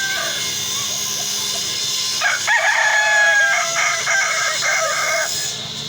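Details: Crowing sparring of Kukuak Balenggek chickens: a rooster launches a long, rich harmonic crow lasting about three seconds, a sustained tone with a stepped, terraced middle, over steady hiss and faint distant calls.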